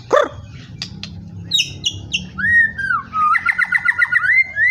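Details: White-rumped shama singing: a rapid string of sharp high chips, then clear whistled phrases and a fast run of repeated bubbling notes ending in a rising whistle, over a low steady hum.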